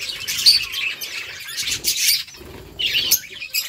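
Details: Budgies making happy sounds: bursts of high, scratchy chirping and warbling come in two or three surges, with quieter chatter between them.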